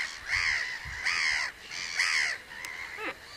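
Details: Common cranes calling: three loud, harsh, rolling trumpet notes spaced under a second apart, followed by a quieter fading call and a short rising note at the end.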